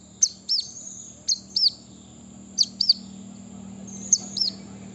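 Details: Brown-throated sunbird, played to provoke wild rivals into calling: paired sharp, down-slurred high chirps repeated in four bursts, over a low steady hum and a thin high whine.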